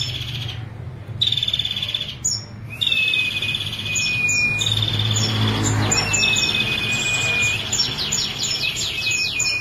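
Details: Ashy prinia, a female, singing a clear song without a pause: dry, rapid, buzzing trills alternate with thin whistled strokes and quick high clicks over faint low rumble.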